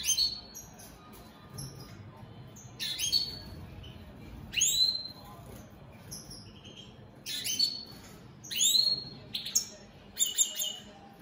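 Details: Opal split satiné European goldfinches singing all day: bursts of high twittering and tinkling notes with sharp, fast downslurred whistles, repeated in separate phrases with short pauses between.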